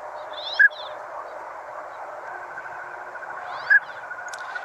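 A Northern Pintail gives two brief, clear whistled notes about three seconds apart over a steady hiss of background noise.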